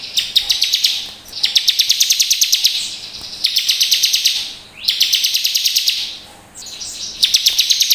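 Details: A Bar-winged prinia recording meant as a lure to prompt other prinias to sing: high, dry buzzing trills of quick repeated notes in bursts about one to two seconds long, with brief pauses between.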